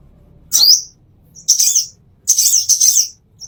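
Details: Plain-throated sunbird, called konin or kolibri, in a master song for training caged songbirds: three high, thin bursts, the first a quick rising slurred whistle, then two busy chittering twitters, separated by short silences.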